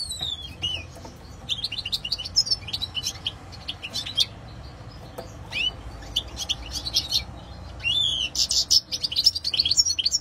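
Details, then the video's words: European goldfinch delivering rapid tinkling song with descending whistled slurs, scratchy buzzes and bursts of chirps, ending in a denser, louder twittering phrase; faint background hiss. "Stieglitz - Carduelis Cardudlis - Jilguero - Щегол - Kадънка - щиглец - طائر الحسون - qızılfinch"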